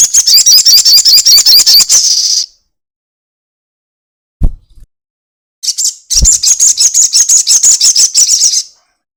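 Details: Crested jay giving a long 'ekek' call, used as a lure recording to get untrained kept birds calling quickly: dense, rapid, high-pitched rattling bursts lasting two to three seconds each, separated by a pause with a single low thump.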